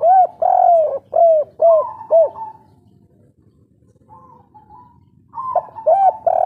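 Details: Local spotted dove (derkuku/tekukur) of the kuk 3 type, calling lively. Soft, mellow coos in a quick burst of five notes, then a near-silent gap with a faint drawn note, then the cooing resumes loudly.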